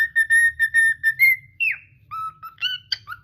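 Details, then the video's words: Pet cockatiel whistling: a rapid string of short even notes on one pitch, then a longer held whistle sliding down, followed by a few higher rising and falling whistled phrases. "Adorable Cockatiel's Fun & Singing Moments"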